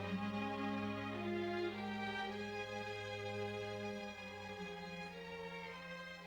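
Soft, slow orchestral music with sustained tones and no animal calls.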